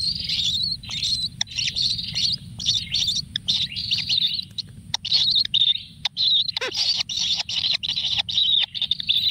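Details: Kingfisher nestlings fed frogs in their natural nest produce near-continuous buzzy, hissing high calls in long trains with brief gaps and occasional clicks, over faint low rumble.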